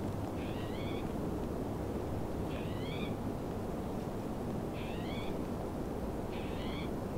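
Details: Trumpeter swans in the Squamish River Estuary, Upper Crescent Slough: four brief, nasal, horn-like calls with an upward lilt, spaced roughly every two seconds, against constant rushing background noise.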